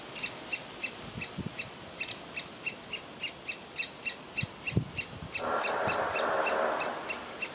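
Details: A young woodpecker waiting in its nest hole to be fed, reluctant to leave; a steady run of short, piercing calls about three per second, then a burst of rushing noise near the end.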